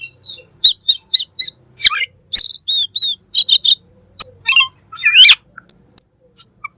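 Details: Black magpie in full song for a songbird training recording: rapid sequences of high chirps, harsh rasping notes and looping whistles, closely packed with only short gaps.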